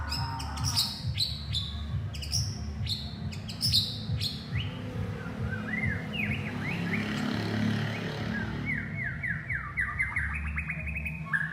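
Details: White-rumped shama calling its partner amid loud traffic rumble: sharp high clicks at first, then a string of quick upslurred whistles and a faster run of rising notes.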